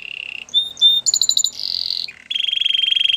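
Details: Canary singing for training: short low trill, two pure whistled notes, a pulsed high burst, a dense warbling trill, then a steady fast rolling trill.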